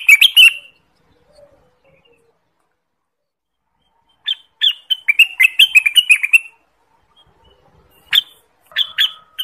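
Orange-spotted bulbul giving bright, bubbly chirping phrases: a short burst, then a longer run of quick warbled notes, and two brief phrases, separated by quiet pauses.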